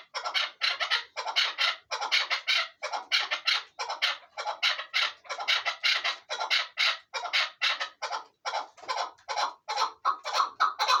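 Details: Chukar partridge kept for hunting, calling in a long run of loud, clipped chuk notes grouped into rhythmic bursts about every half second, continuing without pause.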